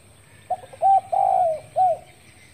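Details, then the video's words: Morning call of a spotted dove, a single phrase: faint short opening note, brief level coo, long falling coo, and a closing rounded coo, with low hiss behind. "cu đất gáy sáng | tiếng cu gáy gọi | tiếng cu cườm gáy | tiếng cu cườm gáy kích bổi | chim cu gáy"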